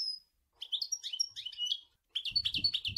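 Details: European goldfinch singing in the Sour El Gouzlane style: bright twittering phrases of quick slurred notes with a brief pause, then a faster run of repeated chirps with faint low knocking underneath.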